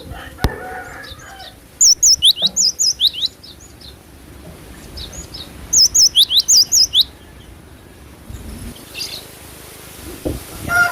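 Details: Cinereous tit singing: two phrases of high, sharp, bouncing whistled notes, about eight quick notes each, separated by a pause of a few seconds, over faint background noise.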